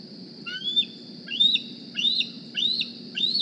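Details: Bald eagle fledgling of the 2020 Decorah season, wearing a GPS transmitter, squeeing as it comes to the nest hungry in the morning: five quick, high, rising-falling whistles roughly every 0.7 seconds over a steady high hum.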